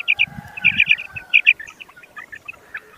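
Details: Common quail giving rapid, clipped high notes in tight pairs and triplets, followed by softer scattered chirps as the calling trails off.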